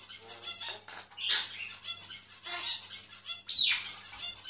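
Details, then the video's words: A myna in song, recorded quietly: loud, continuous harsh squawking and wheezy, buzzy notes with a sharp high squeal near the end, backed by a faint low hum. "Mynah singing"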